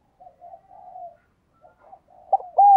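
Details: Decoy spotted dove calling to lure wild doves: soft, low murmured cooing that breaks into two louder arched coos at the end.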